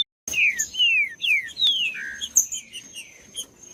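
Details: Green-winged saltator singing to warm up and stimulate other saltators to sing: a series of loud, clear downslurred whistles, each falling sharply, followed by softer descending notes, with a steady high whine in the background.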